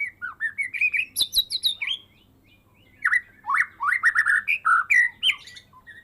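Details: Medan white-rumped shama, caged and raised from a fledgling, in full song after its first moult: rapid rising whistled phrases and high squeaky notes, a short break, then a second dense run of strong varied whistles.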